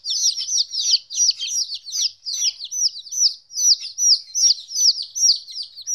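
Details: Baby chickens at 14 days, first separation from their mother, utter loud repeated shrill peeps, roughly two to three per second, each a quick downward slur.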